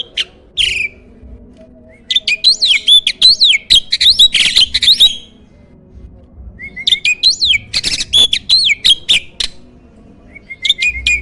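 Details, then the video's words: Starling whose prize-winning, loud song is used for training contest birds: bursts of rapid scratchy, chirping notes lasting a few seconds, separated by quiet pauses and brief thin whistles. "MASTERAN BURUNG JALAK SANG JUARA!!"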